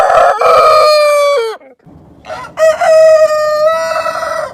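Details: Rooster crowing: a loud, drawn-out, harmonic-rich crow that holds steady and then drops at the end, a short pause, then a second long crow with bright overtones.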